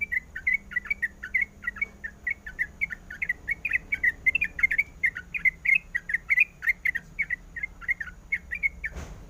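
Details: A female sooty-headed bulbul calls to the male with a long, steady series of quick chirped notes, ending with a sharp knock.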